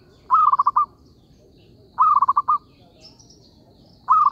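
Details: Zebra dove calls used as a lure for trapping: bursts of about five quick, staccato cooing notes run together, repeated roughly every 1.8 seconds over a low background hum, with a faint higher whistle between bursts.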